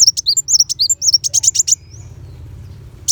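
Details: Sunbird's sharp, high twittering from a tutor track for white-rumped shama: a steady, rapid series of pinched chirps lasting under two seconds, followed by quiet low hum and a single note at the end.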